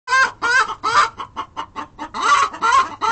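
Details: Hens giving the egg-laying call after laying an egg, with other hens joining in: loud, harsh clucks in an uneven series, several drawn-out rising squawks among shorter punchy notes, about two to three per second.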